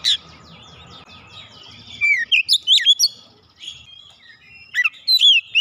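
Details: Lure song of the oriental magpie-robin (kacer), used to coax more singing. Soft scratchy chatter gives way to loud, clear whistled phrases with rising and falling slurs, a short pause, then another run of bright whistles.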